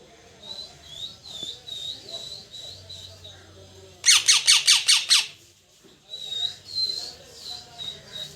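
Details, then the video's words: Parrot giving rapid high chirps repeated about twice a second, broken by a loud run of six harsh, broadband squawks before the soft chirping resumes. "parrot Chirping sound"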